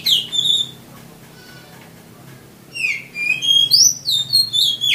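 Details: Oriental magpie-robin (kacer) master song, played to coax quiet caged birds into singing: bright, varied whistled and slurred high notes in quick bursts, a pause with faint low hum, then a rapid run of rising and falling phrases.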